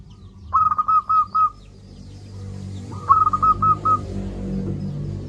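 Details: Song of a loud local zebra dove, played to coax reluctant doves into calling. Two short bursts of quick, staccato coos, each of about five notes at one steady pitch, are separated by a pause over a low background hum.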